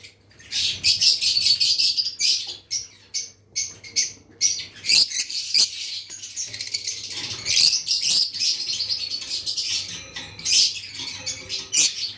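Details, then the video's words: Lovebirds keep up a steady stream of shrill, raspy chattering chirps, overlapping in rapid irregular bursts almost without pause, with occasional sharp clicks and a faint low hum in the background. "Lovebirds Chirping Sounds"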